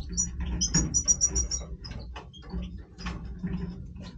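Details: European goldfinch singing in breeding voice. A rapid, evenly spaced row of about six high tinkling notes leads into scattered chips and twitters, with a steady low hum behind.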